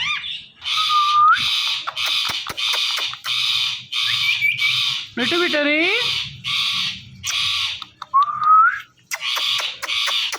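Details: Pet Ringneck parrot watching itself in a phone, giving harsh, grating squawks about every 0.7 seconds, broken once by a smoother wavering meow-like note and a short upward-sliding whistle.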